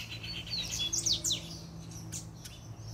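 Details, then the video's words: Puxada-style song of a double-collared seedeater: quick high sweeping slurs and twitters in a short tumbling phrase, then a couple of sharp clicks, over a constant low mechanical hum. "PUXADA DE COLEIRO"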